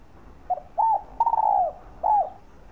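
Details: Spotted dove calling to excite trained decoy birds into cooing: a short series of mellow coos, one clipped note, then arched notes and a long drawn-out falling coo, then a final arched coo, over faint background hiss.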